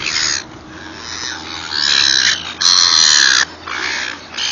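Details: Gulls being fed, uttering long, loud, wailing squeals with strong overtones, three drawn-out cries separated by short pauses, with a flutter of wingbeats or rustling during the loudest one.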